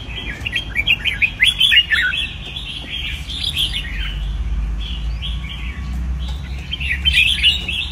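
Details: Red-whiskered bulbul singing in a cage: short bursts of bright chirpy, warbling whistled phrases, loudest near the start and end, over a steady low rumble and background noise.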